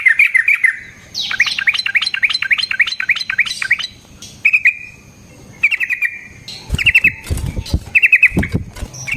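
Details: Sooty-headed bulbul singing a fighting song with rolls and sharp shots, aimed at provoking rivals to answer. Bubbly chirps lead into a quick series of rising slurred notes, then short trills broken by thumps.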